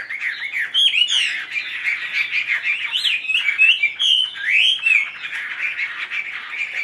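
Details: Chinese hwamei, tame and caged, fanning its tail, singing a steady warbling stream of whistled notes, with a few loud upward-swooping phrases and high clipped accents over continuous chatter.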